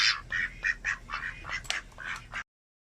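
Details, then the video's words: A pet male domestic duck gives about eight rough, raspy quacks in a quick, uneven run lasting two and a half seconds, with nothing else heard. "Male duck quacks"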